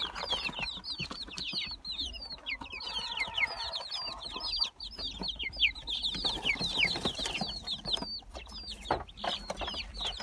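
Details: A crowd of Gold Brahma and Silver Wyandotte chicks peeping nonstop, with many shrill, falling notes overlapping densely and soft bumps and rustles beneath them.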